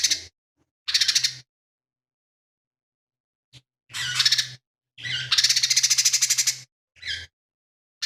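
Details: Lively, mimicry-filled lesser green leafbird song: short buzzy bursts and slurred notes leading to a long, rapidly pulsed harsh rattle over a second in length, then a final clipped note, with low electrical hum; includes sparrow, kingfisher and cililin imitations.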